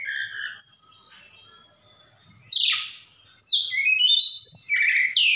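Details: Javan bush lark in a Sukabumi recording, mixing imitations of cililin and sikatan londo: scattered thin whistles, then loud descending rasping sweeps and a stepped rising whistled series.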